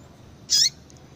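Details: A single high, thin, slightly rising chip from a female double-collared seedeater, a call used to stir up males, lasting a fraction of a second over quiet background noise.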